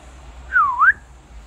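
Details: Friendly wild Australian magpie visiting a balcony, singing a warbling song of sounds it mimics: a single clear whistle sliding down then sharply back up, lasting under half a second, with a low hum behind.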